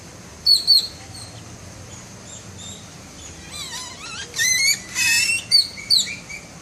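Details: Bird of paradise mimicking camera sounds: thin high whistled notes, a run of quick rising and falling whistled sweeps, then bursts of sharp clicking and mechanical whirring notes over steady low background hum.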